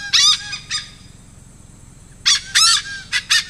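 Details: Malabar pied hornbill (Anthracoceros coronatus), lesser pied hornbill, in the Konkan, India, giving harsh, nasal cackling bursts: a pair of notes, a pause, then three quick raucous blasts; nothing else is heard.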